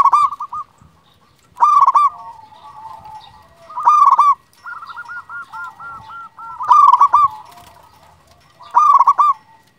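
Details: Local zebra dove calling, with short loud bursts of rolling cooing notes about every two seconds and one longer series of rapid, even coos in the middle, with quiet gaps between.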